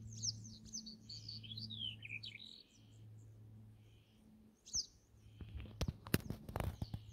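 A male Black-headed Bunting sings one quick phrase of high chirps that slide down into a jangling warble. A low steady hum runs underneath, and clicks and rustles follow.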